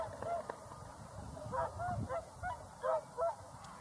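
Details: Whooper swans calling: about six short, nasal, bugling honks with ringing overtones in the second half, spaced roughly every half second, above a soft low background rumble.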